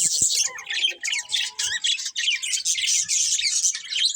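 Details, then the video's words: Budgies in a group chattering with rapid, scratchy high chirps and warbles in short overlapping bursts, plus a few faint low thumps in the background. "Beautiful Budgies Chirping Sounds"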